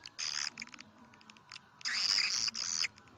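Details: Lure call for swiftlet houses in the 'karindanga' style: a harsh, high, buzzy burst, a quiet stretch of soft clicks, then two longer, loud, rasping chatters.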